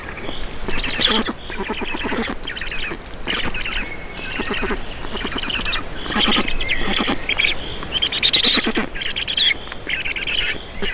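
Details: Black storks feeding at a nest in Estonia, 4 June 2019 in the evening; bursts of buzzy, hissing squeals with rattling pulses, several in sequence, over a steady low background.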